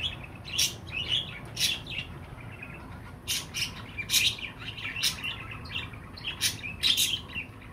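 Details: Pet budgerigar chirping in clusters of two or three bright, clipped notes with pauses between clusters, the calls crisp and high over a quiet background.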